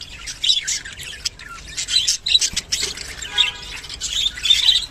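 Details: Kept rainbow budgerigars calling to mate: lively high warbling chatter of short whistled chirps and raspy squawks, rising and falling in uneven bursts, growing busier toward the end.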